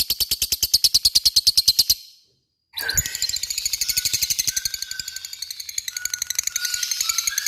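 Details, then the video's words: Long ngekek chatter from a lovebird, meant to draw a reply from rival lovebirds; a fast train of shrill notes stops briefly, then resumes denser, with some lower whistled notes mixed in. "Pancingan LOVE BIRD gacor ngekek,mudah di respon lawan"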